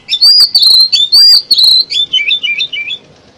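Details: Lure song of an oriental magpie-robin for trapping birds, a fast string of loud, high whistled phrases that break into quicker, lower, chattering twitters fading toward the end.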